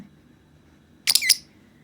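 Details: A pet masked lovebird playing with a rice-ball toy imitates its owner's sneeze, giving two quick, harsh, high-pitched bursts in a small quiet room.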